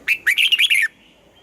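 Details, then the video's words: Morning singing practice of a red-whiskered bulbul, pushed to deliver a mature double-note song. It gives one rapid, loud phrase of five or six clipped, whistled notes that wobble up and down, then stops abruptly into near silence. "Luyện giọng cho chào mào hót sáng, ép chào mào hót âm kép già rừng hay tuyệt!"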